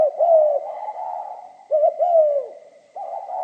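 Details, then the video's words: Spotted dove singing in the pha kim voice style: a clipped double note, then a long, mellow, slightly falling coo, the phrase recurring about every 1.5 seconds, with a faint steady high hum throughout. "Tiếng chim cu gáy giọng pha kim"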